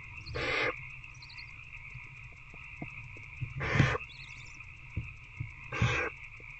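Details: Nest-box barn owls after dark on 19 February 2024, an adult feeding an older owlet one on one; three rasping hiss bursts spaced about two and a half seconds apart, with a constant humming tone and soft knocks behind.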